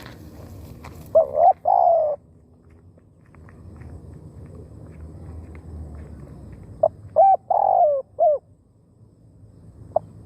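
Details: Decoy spotted dove calling to draw in wild doves: two cooing phrases several seconds apart, each a few short clipped notes then a drawn-out mellow coo, with faint footsteps and rustling between them.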